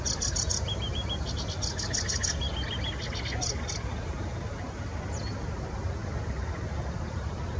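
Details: Sedge warbler in Bitsa forest giving a rapid stream of clicking, rattling phrases mixed with short whistles, fading after about four seconds and leaving a constant low background hum.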